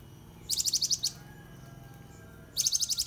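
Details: Cinereous tit, called gelatik batu, kept as a companion bird for canaries and used as training song. Two crisp, high, rapidly pulsed chattering phrases of about seven notes each, separated by a pause, over soft background hum.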